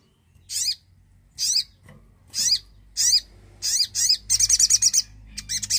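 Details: Javan cochoa song to encourage silent birds to sing: repeated sharp slurred notes about every second, building into a fast rattling trill of around eight notes.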